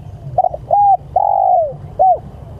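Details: Spotted dove calling its companions with a broken double coo, a flat hooting coo, a long coo gliding down in pitch, and a final short arched coo, set against low background rumble.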